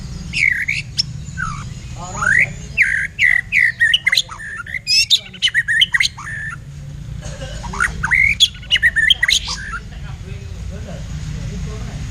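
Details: White-rumped shama, blacktail form, caged and in a song duel with a kapas tembak for training: a dense burst of fast, harsh, squawky notes and rising whistles, then a pause and another busy run, over a low hum.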